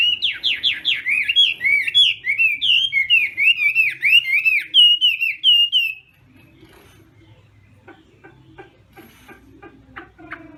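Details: Chinese hwamei practising its song at dawn in contest style: about six seconds of rapid, rich whistles descending and swooping in a rolling series, then near silence with faint ticking sounds.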